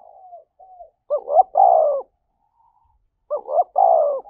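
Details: Spotted dove giving its fight-provoking coo: two phrases of quick hooked notes ending in a long, level, falling coo, separated by about two seconds of silence, with softer coos at the start.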